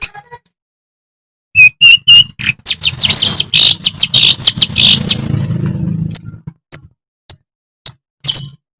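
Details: Long-tailed shrike from Madura, a vigorous singer, delivering a burst of harsh chattering and scratchy high notes with clear whistled chirps, meant to provoke other shrikes into singing; brief gaps of silence between phrases.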